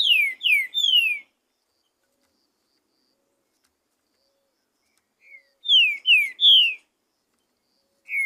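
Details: Free-living green-winged saltator singing in the wild, repeating a phrase of three or four loud, clear whistles that each slide downward. Phrases come several seconds apart against a silent background.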